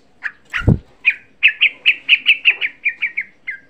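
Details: Lure recording of a young sooty-headed bulbul meant to excite other bulbuls: a loud, steady string of about fourteen short, bright chirps, evenly spaced, with a low thump near the start.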